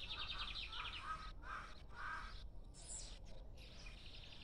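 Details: Uncaged lined seedeater giving a phrase of repeated chirpy notes, spread from mid to high pitch, for about two seconds. Brief hissy bursts follow over background noise.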